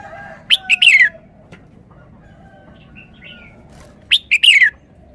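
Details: Sweet three-syllable song of a red-whiskered bulbul: two loud, clear, warbled phrases of quick up-and-down notes, three seconds apart, with faint soft notes in between.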